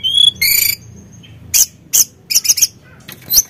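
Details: Sunda blue robin in lively song meant to stir other birds into singing: a thin high whistle, a buzzy harsh burst, then a sequence of sharp scratchy chattering notes spaced about half a second apart, ending with a high slurred whistle.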